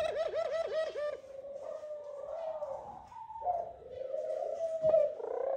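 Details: Eurasian collared dove male courting on the nest and calling the female to it: a quick run of about six throbbing, wavering pulses, then long smooth drawn-out moaning notes with a faint click near the end.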